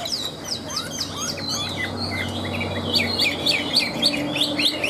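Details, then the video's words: Chinese hwamei in a cage, ngũ trường style, singing loudly: descending whistled slurs at first, then a string of bright rising-falling notes repeated about three times a second, with a low hum behind. "Họa mi ngũ trường, hót cao cầu"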